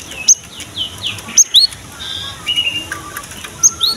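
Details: Cinereous tit in full song, meant to lure young or silent birds into singing: thin rising whistles spaced irregularly, with softer slurred notes between them against a faint hiss.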